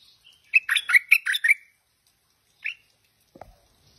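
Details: Tame stripe-throated bulbul in full song: a burst of about seven bubbly, slurred notes in quick succession lasting one second, then a single short note after a pause, followed by a faint click.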